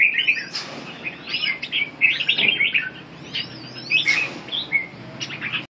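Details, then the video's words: Red-whiskered bulbul singing a run of lively chirped and whistled notes, rising and falling phrases crowded together, ending abruptly after a few seconds. "kênh chào mào"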